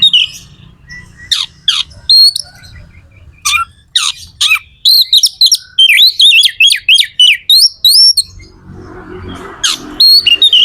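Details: Magpie-robin (kacer) song used to excite other birds into singing: sharp downward-sweeping whistles, then a fast rattling series of sliding high notes, ending with harsh buzzy noise and further whistles.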